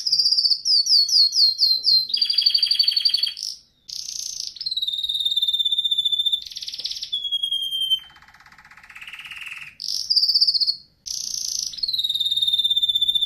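A canary sings a fast string of tours: quick chirped notes, buzzy rolling trills, long high steady whistles and a lower churring roll, each section changing every second or two.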